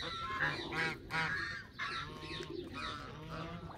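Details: Canada geese giving rapid, overlapping nasal honks in quick succession, a busy flock chorus with softer, more distant calls blending together.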